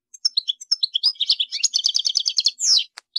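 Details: European goldfinch song: a string of separate bright chirps quickening into a fast, rhythmic twittering trill, followed by a drawn-out descending buzzy note and a final chirp.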